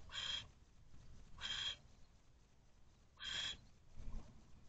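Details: Male barn owl at a nest box, filmed by camera on 26 April 2023 mid-afternoon while delivering a rodent to his mate and owlets. Three harsh, hissing screeches, each about half a second long, spaced roughly every one and a half seconds.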